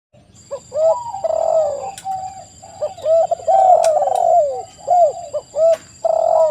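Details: Spotted doves used as a lure recording to make other doves answer, several birds cooing in overlapping, mellow phrases of rounded, slightly falling notes about once a second, with a faint steady high electronic whine throughout.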